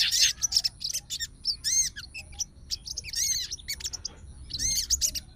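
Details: Sooty-headed bulbul, a fighter bird that is agitated and calling a rival, sings in short bursts of bright looping whistles and rising slurred notes, with quieter chirps and pauses between the phrases.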